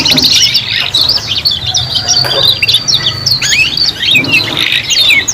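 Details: Young canaries, several singing together as they learn, giving dense high twittering with rapid rising and falling whistled notes and trills; a low steady hum runs underneath.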